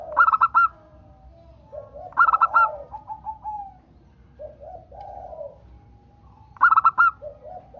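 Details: Local zebra dove song, meant to stimulate other birds into singing: rapid clusters of crisp staccato notes open each phrase, trailing into mellow rolling coos, three phrases roughly every two seconds.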